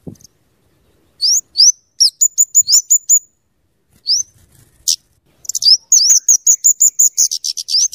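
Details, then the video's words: Scarlet-headed flowerpecker, locally kemade or cabe cabean, in full song for luring and tutoring. Thin rising squeaks lead into dense, rapid high ticking runs that speed up toward the end. "suara burung kemade atau cabe cabean gacor cocok untuk pikat dan Masteran"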